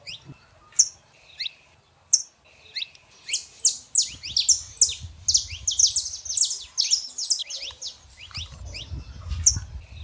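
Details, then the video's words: Saffron finch pair, male and female, singing to warm up a silent canary; scattered high chips at first, then a rapid burst of bright, descending chirps building in the middle, with soft low rumble. "canário da terra fêmea e macho pra esquentar seu canário frio"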